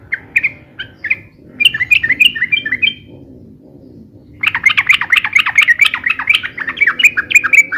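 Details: Yellow-vented bulbul, busy and rapid song for luring and tutoring: short scattered warbled notes, a quieter pause over a low background murmur, then a long dense burst of chattering notes.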